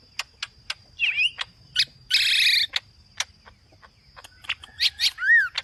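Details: Green leafbird in aggressive full song from Lombok: ticking clicks, a buzzy rasping burst, a forked whistle and a closing arched whistled note, with quiet gaps between.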